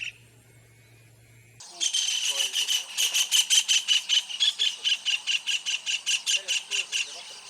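White-throated Kingfisher giving a loud, shrill chattering series of sharp notes, about two to three per second, after a brief low hum.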